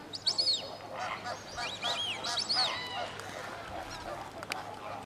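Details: White-faced whistling ducks at WWT Slimbridge calling in clear, high whistled arcs, several sweeping notes clustered in the first half, then quieter with a steady low hum of background noise.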